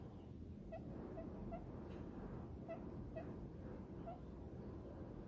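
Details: Pet diamond dove nestled contentedly in its owner's palm, giving short, soft, tonal coos. They come singly and are spaced unevenly across the few seconds, over a steady low background rumble.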